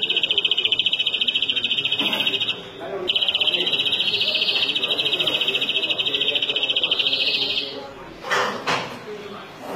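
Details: Long bouts of rapid, even, high-pitched rolling trills from a European greenfinch (flurya), a brief break near two seconds, then trilling on before fading into background chatter and a few knocks.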